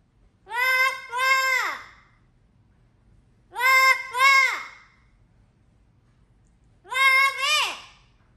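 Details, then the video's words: Amazon parrot kept as a pet, wailing and searching for its owner: three drawn-out, nasal, two-part cries, each sliding upward then dropping away, spaced roughly three seconds apart in an otherwise quiet room. "loro llorando por su papá"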